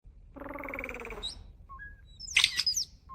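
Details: Starling making human-like sounds: a drawn-out, voice-like tone with a rich harmonic stack that sinks slightly in pitch, followed by a few sharp high chirps and short whistles.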